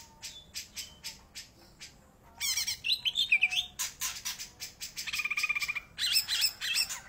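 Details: Greater green leafbird in lively song, opening with scattered sharp chips, then dense rapid trills, twisting whistled phrases and a fast buzzy rattle, all high-pitched over a steady low hum.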